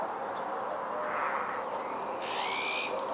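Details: Eurasian hoopoe in winter, Ria Formosa Natural Park, Portugal, 30–31 December 2011, giving soft, hollow hooting song notes over a steady hiss, with a brief higher chirping sound near the end.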